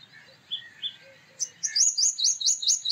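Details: Male purple sunbird song: after soft scattered chirps, a fast run of about seven bright, high, hooked metallic notes at an even clip, with faint low whistles from another bird beforehand.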